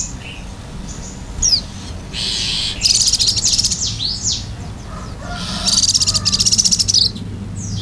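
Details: Oriental white-eye in gacor isian mode, open-beaked: scattered high sweeps mixed with buzzy stuttering trills in bursts, including a rapid rattling stretch near the end, over a low steady background hum.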